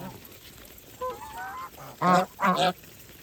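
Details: Feeding farm geese: soft rising nasal notes, then two loud, rasping honks in quick succession, over a low hum of background noise.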